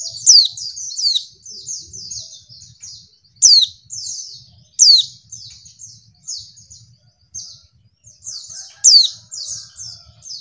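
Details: Lure call of a female white-eye meant to make males respond quickly as in the wild: continuous high thin twittering broken by several loud piercing downslurred notes at irregular intervals.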